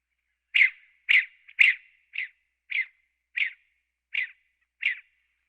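California quail giving eight short, sharp mid-pitched notes, about one every half second, the first few louder and harsher; no other sounds.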